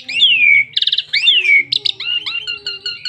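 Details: A bursting Asian pied starling song, played to make other starlings sing: two long down-slurred whistles separated by rapid rattling bursts, then softer warbled notes.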